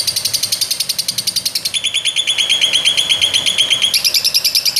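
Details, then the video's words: Lovebird giving a fast run of high, harsh chirped notes in steady rhythm, the pitch stepping down partway through and back up near the end. "BURUNG LOVEBIRD"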